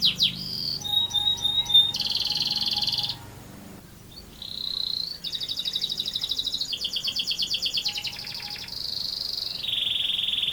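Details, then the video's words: Canary's long rolling song of varied sections: rattles, sustained buzzy rolls, a short pause, then fast pulsed trills and low-pitched rolls. "Burung Kenari Gacor Ngerol Panjang"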